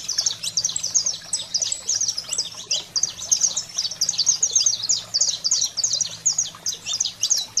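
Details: Unbroken, busy saffron finch 'fogo selvagem' singing, used to fire up pet canaries: many high chirps and quick slurs crowded together for the whole stretch, with a faint background hum.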